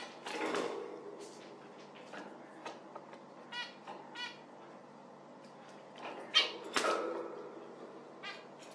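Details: Scattered short nasal zebra finch calls, some faint and others louder, interrupted by a couple of broad rustling or knocking noises partway through.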